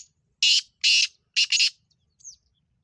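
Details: Black francolin (kala teetar) calling: loud harsh grating bursts in a quick run of four, the last two almost joined, followed by a faint thin whistled note; otherwise quiet background.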